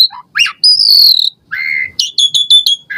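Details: Asian pied starling singing with varied phrases, meant to prompt caged birds to sing: a sustained high whistle, a lower flat whistled note, then a run of five sharp chips.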